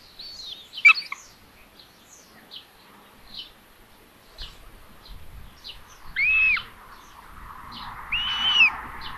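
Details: At a common buzzard nest in Tiszalök, Hungary, on 27 May 2022 at 12:32, as the mother brings food to the third chick, three short, high, arched mewing calls rise then fall, over thin small-bird chirps.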